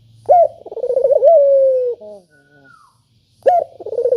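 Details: Clear, sharp spotted dove call used to coax quiet doves into calling: one complete coo of a rising note, a wavy trill and a long, slowly falling tone, then a short low note, a thin falling whistle and a new phrase beginning.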